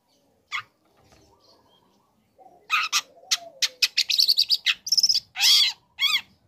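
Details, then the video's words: Lure song of a young long-tailed shrike: after a quiet start, an accelerating series of sharp chattering notes building to long rasping squawks. "Pancingan Emosi | Cendet Muda Gacor Belajar Materi Bikin Cendet Manapun Auto Nyaut Emosi Ikut Bunyi"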